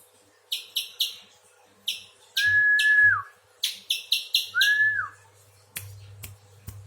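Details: Spiderhunter called pijantung besar giving bright, sharp chip notes in quick clusters, alternating with two long, level whistles that each drop away at the end; a faint steady hum sits underneath.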